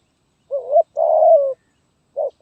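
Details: Zebra dove, 'gagap tindan' (sepatah) song style, 23 January 2022: a brief rising coo, a long steady purring trill that slowly falls, then a short clipped note, in a quiet setting.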